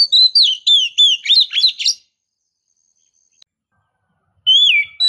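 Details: Female white-rumped shama calling to stimulate the male: a fast run of about eight bright downslurred whistled notes over two seconds, then silence and one more slurred whistle.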